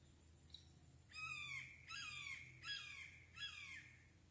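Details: Red-shouldered hawk (Buteo lineatus) calling in Craighead Forest Park: four loud, clear descending screams, each a drawn-out downslurred kee-ah, spaced under a second apart, over quiet background.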